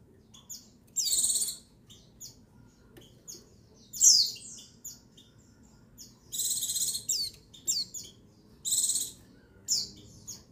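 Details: Female white-eye calling to stimulate males, recorded 22/6/21: buzzy pulsed trills spaced a few seconds apart, mixed with a sharp descending squeak and soft scattered chips.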